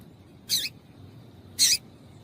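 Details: Female double-collared seedeater calling, a recording used to get a male to sing: two short, harsh, high chips about a second apart over faint low background hiss.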